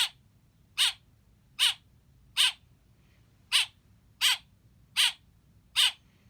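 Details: Chirping of a baby blackbird: eight rasping, downward-slurred notes, each around 0.8 seconds after the last, with one longer pause midway and a quiet hum behind.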